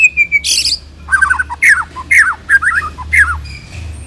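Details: White-rumped shama singing, recorded as a lure for shamas: a steady whistle and a harsh burst, then repeated groups of rich fluty warbled phrases with downslurred notes, roughly two per second, over a low hum.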